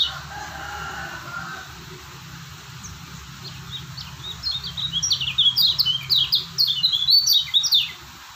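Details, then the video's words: A white-eye from Lombok, kecial kuning, is quiet at first, then bursts into a dense run of high, sharp chirping notes in the second half over a low background hum. "Lombok Kecial Kuning si Joker burung Stabil"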